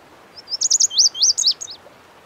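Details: Single bright Lazuli bunting (Passerina amoena) song, a rapid string of high paired notes and arched, slurred whistles lasting just over a second, clear and close over soft hiss.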